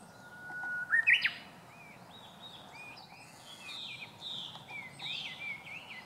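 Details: Japanese bush warbler (Horornis diphone) singing its first song of the season on 19 March 2016: a long, steady whistled note, then a quick rising, twisting flourish, followed by faint chirps from other birds.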